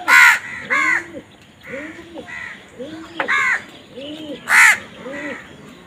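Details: A crow caws harshly again and again, loud rasping bursts spaced irregularly, while soft rounded cooing notes keep rolling underneath throughout.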